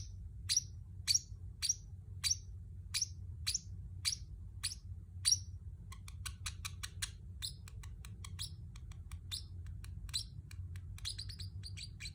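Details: Pacific parrotlet, a pet bird, chirping: eight loud, evenly spaced downward-sliding chirps about every two-thirds of a second, then a rapid chatter of softer ticking chirps, low hum in the background.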